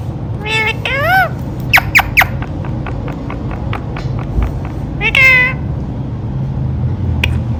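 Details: Indian ringneck parakeet, a talking pet bird, producing squeaky speech-like phrases with rising harmonic notes, then a run of short clicking ticks, another upward squeal near the middle, indoor room ambience.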